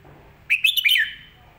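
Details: Red-whiskered bulbul master song for young birds to learn: a single quick phrase of three or four bright, rising and falling whistled notes, the last sliding downward.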